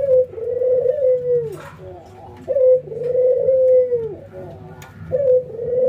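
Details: Trained ringneck doves, one white albino and one local, nodding and laughing; three coo phrases, each a short clear note followed by a long rolling laugh that drops at the end, roughly every two and a half seconds.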